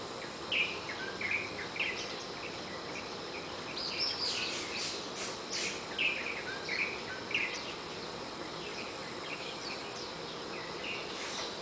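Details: Several warbling white-eyes chorus at dawn, around 04:45–04:50, from a Malabar chestnut tree where the family built two nests by a house's north yard. Clear, sweet chirps and twitters come in scattered bursts, with a few clicks and constant ambient hiss.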